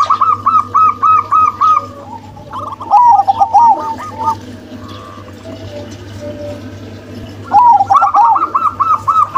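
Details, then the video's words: A local female and a crossbred male zebra dove. Rhythmic bursts of rapid, rolling coo notes open the recording, with a quieter lower-pitched phrase after them. A long near-silent gap with low hum follows before another quick, evenly pulsed series ends it. "PERKUTUT LOKAL BETINA & PERKUTUT KROSING JANTAN"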